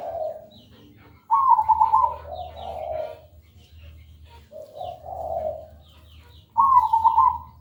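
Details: Perkutut, a zebra dove, singing a lure song meant to prompt other birds to sing clearly: rippling trilled coos, then lower mellow coo notes, repeating after a pause over quiet background hum.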